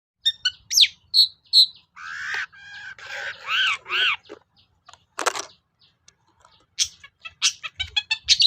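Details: Long-tailed shrike lure song, played to provoke reluctant shrikes into singing. It is a varied, energetic jumble of sharp high chips, harsh grating notes and short whistled phrases with rising and falling slurs, broken by brief pauses.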